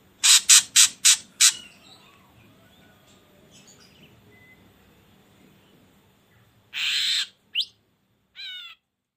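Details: Ashy drongo song for luring birds to sing: five quick harsh chattering notes, a pause, then a hissing burst, a short whistle and a buzzy upslurred note.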